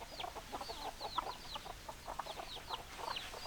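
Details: Hens clucking in a flock of chickens: rapid, overlapping high falling peeps and brief throaty clucks from several birds, with steady low background noise.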